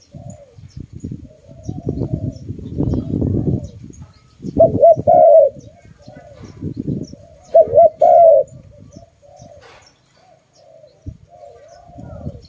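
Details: A pet dove gives low, loud cooing, with two strong rolling coos a few seconds apart and softer murmured coos between; some low rumbling noise underneath.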